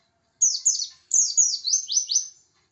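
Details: Oriental white-eye of the Pacitan type, singing to provoke rivals: two quick high downslurred notes followed by a tumbling series of five or six sharp, falling chirps, all within two seconds.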